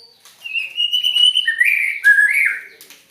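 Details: White-rumped shama giving a strange song phrase: a long level whistle stepping down into a buzzy slurred warble, then one rising note.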